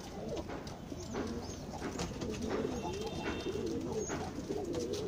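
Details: Pigeons at lunch time give low, soft rolling coos that repeat and overlap through the clip, with a faint background hum and a few brief high chirps.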